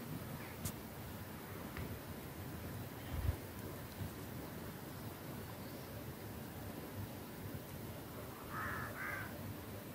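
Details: A crow, one of a group circling while teaching their young to fly, gives two quick, harsh caws near the end, over steady wind-like rumble and outdoor noise.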